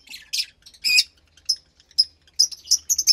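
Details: Fischer's lovebird chick about 15 days old, hatched to a lutino and pastel blue pair; harsh high squawks and chirps in quick succession, becoming denser toward the end, with faint low background hum.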